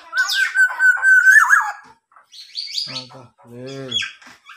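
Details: Tame local black-naped oriole copying a police car siren: a loud sustained whistle with a wavering end, then harsher, buzzy notes and rough nasal calls after a short gap, recorded close in a quiet room.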